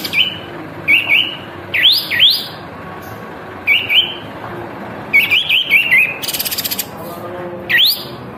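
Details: White-eared bulbul singing energetically with its tail spread: short bright whistled phrases of rising, looping notes given in bursts every second or so, plus a brief rapid rattling buzz.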